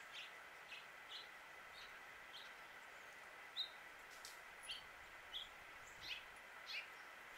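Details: Male House Finch chirping in Suffolk, Virginia, USA: single short high notes repeated roughly every second, with a continuous hum behind them.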